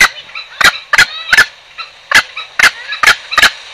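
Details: Green junglefowl lure call used to attract birds for trapping: short, harsh, harmonic-rich bursts repeated about every half second, seven in under four seconds, with faint softer notes between them.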